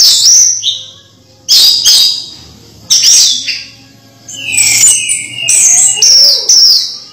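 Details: Orange-headed thrush, a caged household bird whose singing lures reluctant thrushes to sing; repeated loud phrases of high chattering notes every one to two seconds, ending with clearer descending whistled slurs, over a soft low hum.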